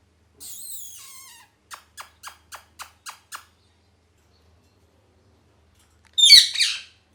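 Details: Pet parrot, molting, calling: a squeaky wavering note, then seven short sharp chirps in an even series, then after a pause one harsh, loud squawk.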